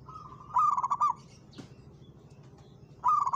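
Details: Local zebra dove singing against a rival, a soft trill rising into a loud pulsed coo burst, a brief click, then another burst starting at the end.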